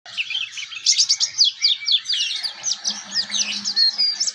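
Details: Young oriental white-eye learning the ngeriwik twittering song, meant as a tutor recording for other white-eyes: a dense stream of high, fast, thin chirps and slurred notes. A faint low hum enters in the second half.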